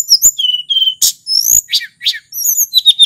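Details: Mount Merapi sulingan song. Level and rising whistles come in quick succession, broken by harsh rasping bursts and bright upward-sweeping notes at the close.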